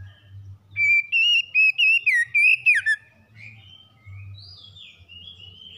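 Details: Magpie-robin morning song given to help a stressed bird recover: a loud burst of clear, rich whistled notes with quick slurred and warbled turns lasting about two seconds, followed by softer rising whistles and a faint low hum.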